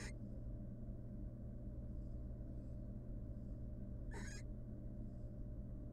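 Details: Female barn owl at a wild nest box with eggs, interacting affectionately with the male. A single harsh, slightly downward-sliding screech about two-thirds of the way through, after near-quiet, with a steady background hum.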